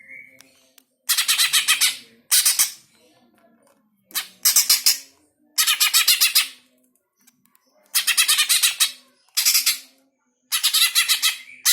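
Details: Greater green leafbird sound used to rouse pet birds; repeated bouts of grating, rapidly pulsed rasping notes, about a second each, broken by quiet gaps, with a brief thin whistle at the start.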